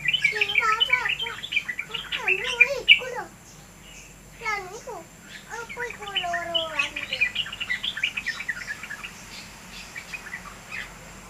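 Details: Yellow-vented bulbul in lively, vigorous song: rapid bubbly warbled phrases sliding up and down, bursts of chattering notes in quick succession, pausing briefly then resuming with softer twittering toward the end, over a low hum.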